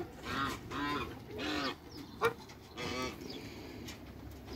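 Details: Three Toulouse geese, two males and one female, in a backyard after a crate, honking in a loud run of four nasal, harmonic-rich calls about half a second each, with a sharp click between them and low hum behind.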